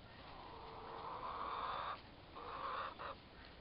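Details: A pair of four-month-old turkey toms fighting; two buzzy trilling purrs, the first about a second long and the second shorter after a brief pause, over low background hiss.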